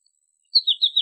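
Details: American goldfinch giving a brief series of three or four quick, slurred, descending twittering notes.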